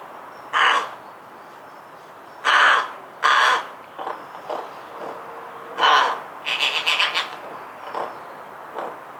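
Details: A Rook in a Hampshire, UK garden in 2020 chatters to itself in possible song: harsh grating caws mixed with softer clicks and varied short phrases, irregularly spaced, with a faint thin whistle in the background.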